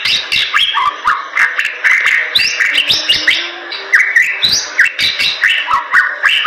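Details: Lively Bali myna song: rapid chattering, clicking notes mixed with bright rising and falling whistles, delivered almost without pause and growing louder in bursts.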